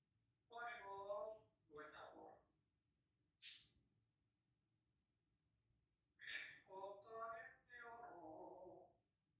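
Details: Singing African grey parrot, a pet imitating the songs El Rey, Cielito Lindo and Para Siempre; two harmonic voice-like phrases, a pause with a short breathy hiss, then four more sung syllables, sliding lower at the end, in a quiet indoor setting.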